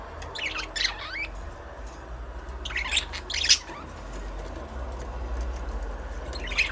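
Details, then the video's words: Budgerigar chirping in three rapid, twittering, warbled clusters of high wavering notes, spaced a few seconds apart over a low steady background hum. "Budgies parrot chirping sound"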